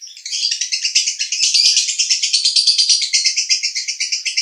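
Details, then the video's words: In Cibinong, Bogor, a male lovebird sings konslet: a sustained, rapid stream of buzzy, high chirping pulses that keeps an even rhythm throughout. "Master Lovebird Jantan Konslet"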